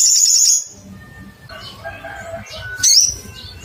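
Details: A rapid high trill for half a second from a little spiderhunter seeking a rival, then quieter twitters and one sharp, sliding cuitt note, over low rumbling.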